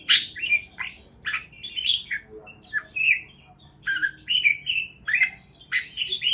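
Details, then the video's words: Lively parakeet chatter: clusters of short chirps and a few harsher squawk-like notes, coming in bursts with brief pauses between them. "Parakeets Chirping Sounds"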